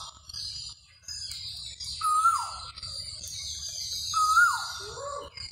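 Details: Koha bird calling: a short whistled note that drops steeply in pitch, given twice about two seconds apart, with a lower downslurred note after the second one, over a faint, steady high background hiss.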